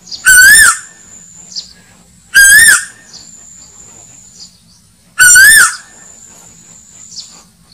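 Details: Played as a hunting lure, an Asian koel gives three loud, harsh whistled notes, each rising then falling, spaced about two and a half seconds apart over a thin steady background hum.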